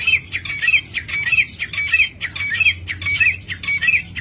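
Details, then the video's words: Partridge (dhakni tetar) calling steadily with loud, harsh, rattling notes topped by twisting squeaks, in groups repeated a little over once a second. "dhakni tetar ki awaz"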